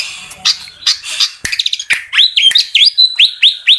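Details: Fantail song opening with scratchy chatter and clicks, then breaking into a steady run of about seven high, rising whistled notes, each a clean upward slur repeated at a brisk, even pace.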